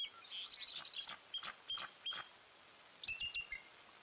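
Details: Bald eagles at Fraser Point, 26 October 2020, a family with three chicks: thin, high piping chatter, a quick twittering run, then sharp separate chirps a few tenths of a second apart, over faint background hiss.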